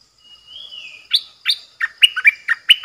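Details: Bulbul decoy bird, nok dok taeng, recorded 8 May 2021. It opens with a long, thin whistle that rises and then falls, then gives a loud, rhythmic series of eight bright chirps. A steady high whine sounds in the background.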